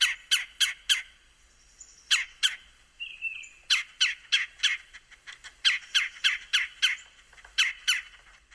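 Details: A Red-bellied Woodpecker, a permanent resident at Dogwood Canyon in Cedar Hill, Texas, gives harsh, clipped chek notes in quick bursts of three or four, the bursts about every one to two seconds, with a brief soft whistle from another bird in between.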